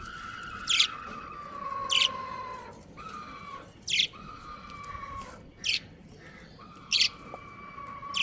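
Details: Budgerigar breeding pair, pet birds: bright, clipped high chirps roughly once a second, each a brief scratchy burst, with long sliding crowing notes from another bird behind them.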